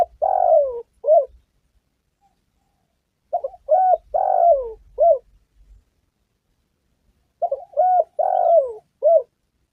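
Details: Spotted dove calling, used as a lure for trapping and hunting: low soft cooing phrases in groups of three or four notes, a longer burred coo then shorter ones, repeated about every four seconds with quiet gaps.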